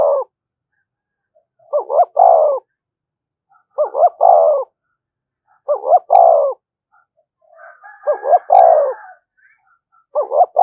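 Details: Spotted dove cooing to stir up other doves. About five phrases, each two short rising notes then a long descending coo, come every two seconds or so, with a faint buzzy murmur before one phrase.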